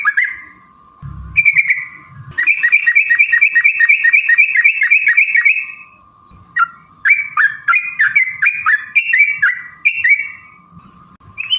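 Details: Yellow-vented bulbul song used to draw replies from other bulbuls: a short slurred note, then an extended rapid rattle, followed by a run of varied liquid, slurred phrases, over a steady hum.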